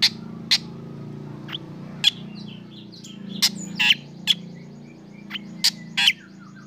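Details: Black drongo singing in the morning while out in the sun, prompting other birds to sing: scattered sharp metallic chips and short harsh bursts, with fainter chirps between them, over a steady low hum.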